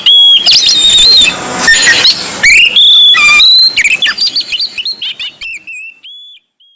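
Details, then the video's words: White-breasted Oriental magpie-robin (kacer dada putih) singing in lively 'gacor ngobra' style: a rapid, dense run of loud, varied whistles, chirps and sharp trills, some notes rising, ending in clear, sustained high whistled notes. "BURUNG KACER DADA PUTIH GACOR NGOBRA"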